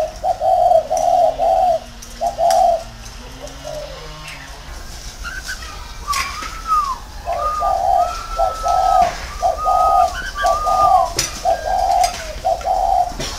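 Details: Decoy spotted dove in a round cage cooing in repeated low phrases, while another bird adds clear, rising-and-falling whistled notes over the second half; a faint voice in the background.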